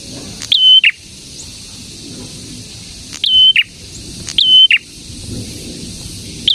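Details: Repeated song of a prinia, called prenjak: loud phrases of a rising chip, a held high whistle and a harsh lower ending, spaced irregularly at one to three second gaps over a low steady background.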